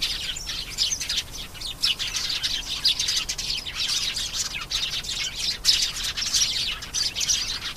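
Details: Canary pouring out a long, unbroken high warble of quick trills and chirps, with occasional louder sharp notes.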